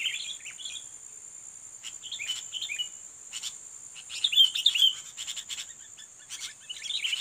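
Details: Sooty-headed bulbul, a fighting bird lured to challenge a rival, gives scattered short chirp phrases with a louder whistled flourish midway, broken by sharp clicks, above a continuous high drone.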